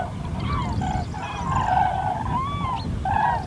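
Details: Common crane calling: bugling, slightly wavering trumpet notes, some rising, given in short series over heavy low-pitched background rumble.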